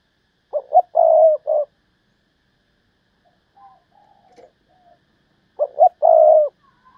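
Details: Spotted dove decoy calling to draw in wild doves, 'thúc bổi' style. Two bursts of short hoots framing a long steady coo, roughly five seconds apart, with quiet faint calls between them.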